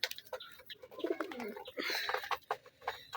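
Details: Domestic hobby pigeons, a loft of Kaldom, Giribaz and desi birds with newly hatched chicks, give a low murmuring coo near the middle, mixed with short chirps, rustling and indoor clatter.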